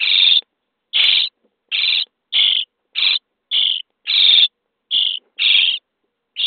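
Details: Fed starling nestlings in a nest box, day 23: a run of about ten rough, hissing begging calls at a brisk, slightly irregular pace, loud and close.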